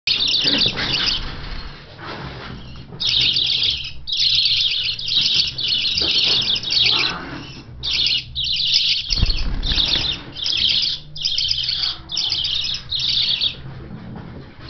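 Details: Six young hand-reared budgerigars, newly able to fly after five weeks of training, chatter in dense, scratchy bursts of high chirps, coming and going every second or so.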